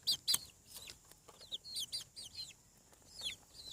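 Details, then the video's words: Hatching farm chicks call with piercing high peeps, a loud pair at the start, then a run of quicker downslurred whistles repeated several times a second, with occasional soft clicks. "Chick sounds. Hatching From Egg 7 weeks / Sound of Chickens on the Farm"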